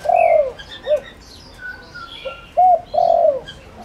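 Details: Lure spotted dove cooing to draw wild doves: the end of one phrase with a long falling purr and short note, then a fresh arched coo and long rolling coo, with high bird chirps behind.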